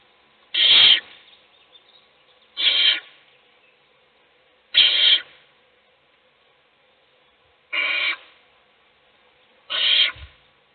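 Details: Five rough, breathy screeching hisses spaced about two seconds apart, captured in a nest box as an owl feeds one chick while the others sleep.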